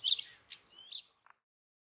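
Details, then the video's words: A white-tailed stonechat on the Padma/Ganges char lands gives an evening call or song: one high, scratchy phrase of quick rising and falling whistles lasting about a second, followed by two faint clicks. "White tailed Stonechat saxicola leucurus call1"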